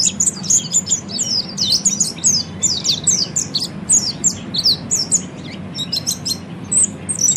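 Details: Oriental white-eye singing in the ngeriwik style, used to train caged birds to sing ngeriwik and ngepelong: rapid, high, thin chirping notes in dense twittering bursts, nearly continuous, over a steady low hum.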